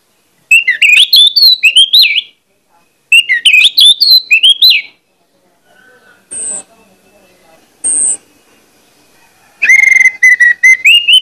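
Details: Orange-headed thrush lure song, meant to stir other birds of its kind to sing: loud, varied phrases of rich, fluty whistles and high sharp notes in bursts of about two seconds, with brief high squeaks between.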